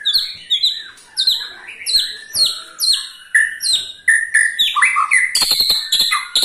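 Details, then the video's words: White-rumped shama ketrekan call, used to make other shamas sing: a lively run of sharp downslurred whistles, high at first and then lower, repeated about twice a second with short clicks in between. "KETREKAN SAKTI!! || MURAI BATU MANAPUN PASTI TIDA MAU DIAM IKUT GACOR"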